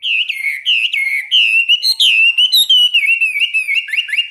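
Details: Caged Chinese hwamei singing in a morning training session: a loud, unbroken stream of clear whistled notes, rolling and warbling up and down, with quick slurs and no pauses.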